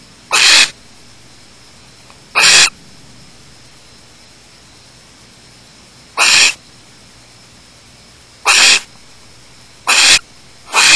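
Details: Barn owls at a nest with chicks at Starr Ranch on June 30, 2010 at 9:27 PM, just after the male mated and probably delivered prey: five harsh, hissing broadband screeches, each under half a second, spaced irregularly over a steady low hum.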